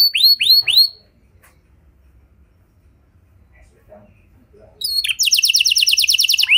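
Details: Canary pancingan song to prompt other canaries: three drooping whistled notes, a long near-silent pause, then a fast, dense, buzzy rolling trill.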